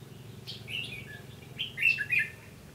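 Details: Red-whiskered bulbul singing a fighting song as a trap lure bird, 15 June 2016: a short chirpy phrase, then a louder burst of quick whistled, warbling notes near the end, with a steady low background hum.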